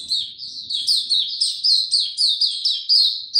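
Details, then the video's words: Oriental white-eye, a cage bird, singing slow and easy on 2 May 2022: a steady, rapid string of high, clear downslurred chirps, each note crisp and evenly loud, with faint low noise at the start. "Mata Puteh Hercules buka sing go slow n easy"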